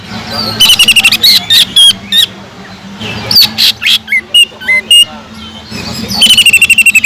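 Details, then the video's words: Singing greater green leafbird with a kingfisher (tengkek udang) imitation, a recording meant to teach other leafbirds: squeaky twisting notes and harsh bursts in uneven rhythm, closing with a quick run of repeated notes. "PANCINGAN CUCAK IJO GACOR ISIAN ISTIMEWAH TENGKEK UDANG"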